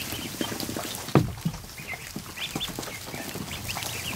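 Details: Newly hatched ducklings, more than 100 of them, crowd a kiddie pool in a barn during the afternoon. Clustered thin peeps follow a dull thump, with a low background rumble and water movement.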